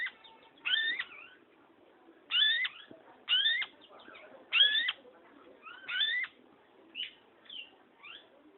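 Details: Long-tailed shrike in lively song: a string of loud, sharply rising whistled notes, roughly one every second or so, interspersed with softer chips and short warbled phrases.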